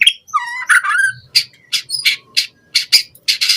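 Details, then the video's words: White-rumped shama in a lure recording for captive birds: a slurred whistled phrase gives way to harsh, scratchy notes repeated in short bursts, some high and buzzy. "Pancingan Murai Batu Cepat BONGKAR ISIAN Buat Masteran Suara Burung Murai Agar Gacor Full Isian"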